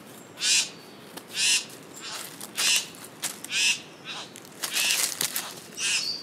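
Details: Satin bowerbird male calling toward a female at O'Reilly's Rainforest Retreat, filmed with a Panasonic Lumix GH5s; loud hissing, buzzy bursts about half a second long, repeated roughly once a second, with softer scratchy notes between.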